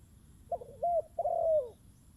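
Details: Single cooing phrase from a spotted dove near a decoy bird: a short wavering note, a flat coo, then a long drawn-out coo that slides downward. The background is quiet.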